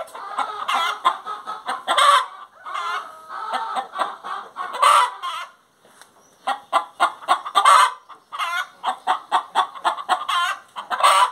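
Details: Singing hen delivering steady runs of clucks with piercing raspy squawks recurring every few seconds, one short quiet gap partway through.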